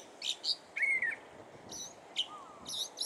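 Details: California thrasher singing at Cabrillo Point: a varied string of short phrases, including buzzy high bursts, a clear level whistle and a lower slurred note, each phrase brief and separated by short pauses.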